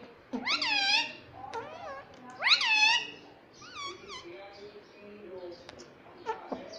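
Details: Indian ringneck parrot kept as a pet and said to speak mummy and papa: two loud, rich, arching squawk-like phrases, then softer wavering notes and fading chatter in a quiet room.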